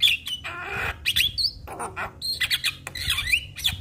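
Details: Black-collared starling song used to spur other starlings into singing: jumbled harsh squawks, scratchy bursts and sharp whistled slurs in quick succession.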